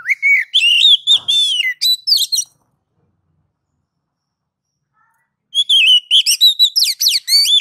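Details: Ngeplong-style song of an oriental magpie-robin, used as a master recording to coax others into singing: rich whistled phrases with rising sweeps and rapid notes, a three-second pause, then a second varied burst.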